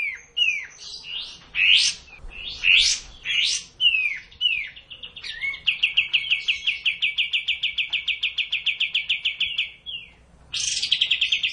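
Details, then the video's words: Kapas tembak bulbul singing steadily, a master recording for training cage birds: a few loud swooping, rising whistled notes, then a long fast rattling trill of rapid identical notes, and a final burst of high chattering. "Masteran suara burung Kapas Tembak gacor"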